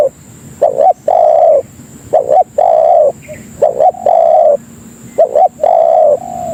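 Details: Tekukur, or spotted dove, luring other doves with its call: a doubled, slightly rising short coo followed by a long level coo, repeated about forty times a minute, with a faint chirp between phrases.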